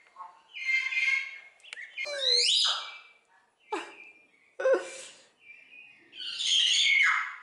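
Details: Common hill myna at a zoo bird garden in Upie, Drôme, France, a noisy talker and imitator: a varied run of harmonic calls, sliding whistles and harsh bursts with short pauses between.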